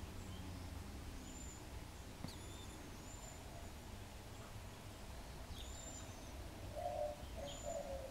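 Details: Cedar waxwings at Pedernales Falls State Park, Texas, giving very high, thin, hissing 'seee' whistles scattered every second or two, over a steady low rumble of background noise.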